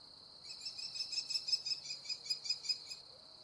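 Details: American kestrel eating prey gives a quick string of about a dozen shrill, clipped notes over two and a half seconds, uneven in loudness, above a continuous high insect drone.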